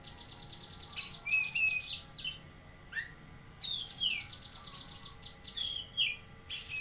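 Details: Actively singing bulbul known locally as cucak kinoi, Jambi: dense series of quick high twittering notes broken by falling whistled slurs, repeated in two long phrases.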